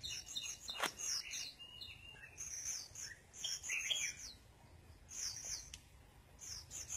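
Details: Sunbathing red-whiskered bulbul among busy whistled and chirping phrases in bursts, some sharp slurred notes, several birds seemingly overlapping, one sharp click near the start.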